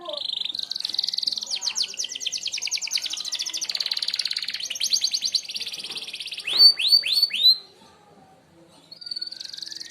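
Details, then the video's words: Long, fast, high canary trill from a Merlok bird in sharp-shot style for tutoring others, broken by four loud downslurred whistles, a short silence, then the trill resumes. "tembakan tajam kenari merlok"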